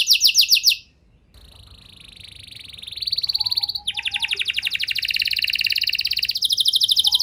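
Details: Canary lure song for other canaries: a short rapid trill, a pause, then a long steady buzzy trill rising into a louder, higher rolling trill with a faint low warble beneath.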